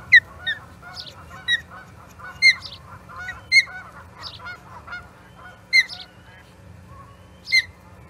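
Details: Ospreys skirmishing with an intruding third bird at the Charlo nest, 21 April 2022: loud, piercing downslurred chirps burst out every one to two seconds amid continuous softer, quick piping calls, with a low hum underneath.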